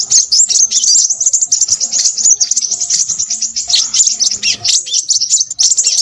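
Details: A crimson sunbird delivers rapid, unbroken song, a shrill twittering of tiny chips and squeaks at very high pitch.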